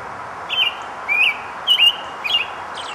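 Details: American robin singing while foraging and collecting nest material: four short whistled, warbling phrases about half a second apart, each sliding up and down in a clear mid-high pitch, over a steady low background hiss.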